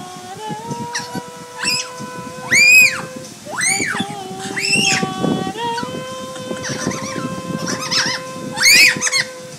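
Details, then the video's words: Pet parrot at an inn learning a new sound, singing along with a woman: arched, whistled phrases rising and falling between mid and high pitch, over a steady low sung tone, with voices and background chatter. "Peanut creates a new sound"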